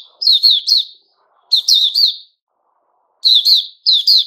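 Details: Captive white-rumped shama recorded on 29 August 2021, singing clear high whistled phrases, each a quick pair of sharp, slurred notes, with bursts repeating after short silences; no other sounds.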